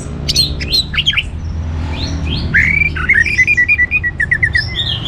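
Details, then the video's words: Orange-headed thrush singing to get other birds going: jumbled whistles and trills, then a run of short sliding notes repeated about every quarter second, over low hum. "ANIS MERAH Gacor Untuk Memancing Burung Jadi NGeplong Bahkan Teler"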